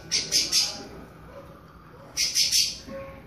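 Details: A creamy-bellied thrush warms up its classic song. Two phrases of three quick, high, ringing notes are spaced about two seconds apart, with quiet background hiss.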